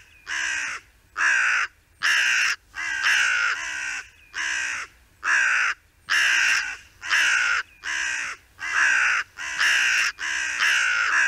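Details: A hooded crow among a group foraging in a meadow, one pecking into an acorn while another watches enviously, gives harsh, hoarse caws, about thirteen in a steady run roughly one per second, loud and grating.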